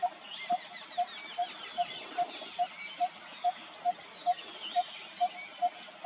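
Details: Malabar barbet, Western Ghats, India, calling a long even series of short hollow notes, roughly fourteen in six seconds at a steady pace, over a backdrop of other birds' twittering and whistles.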